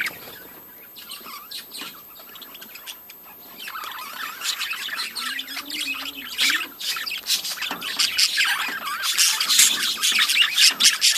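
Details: Budgerigars in a breeding colony keep up a busy chorus of scratchy squawks and quick chirps, quieter at first, then swelling into a louder, denser mass of overlapping calls.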